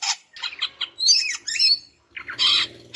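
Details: Greater green leafbird, sound for coaxing a mute male to sing: harsh burst, choppy notes, then bright twisting whistles and a final raspy squawk.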